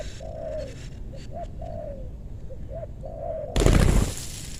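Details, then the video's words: Spotted dove lured in a meranti forest, western Bogor, sought for its big voice: repeated low coo phrases with short notes and longer falling coos, ending in a sudden loud rustling burst. "Pikat tekukur ajaran si bucil paksa turun bl suara besar"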